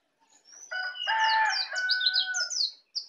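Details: Young Bali white-eye, a native Bali bird, learning to sing in the continuous ngeplong style: quick runs of high, thin, downslurred chirps, with a steadier lower warbling tone underneath.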